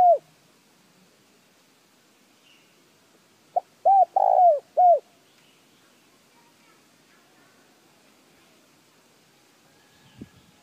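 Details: [4, 'A single spotted dove phrase, played to stimulate other birds to call, follows a trailing coo. It has a short sharp note, a round coo, a longer falling coo and a final coo, then long quiet with a faint click near the end.']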